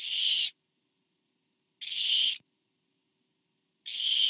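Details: Harsh breathy screeches from a barn owl nest while a parent delivers food to an owlet, September 2015. Three bursts of about half a second are separated by pauses of roughly 1.3 to 1.8 seconds.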